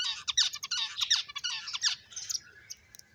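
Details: Finches chirping while playing, giving a fast series of bright, high, scratchy chirps, several each second, that thin out into scattered single notes toward the end.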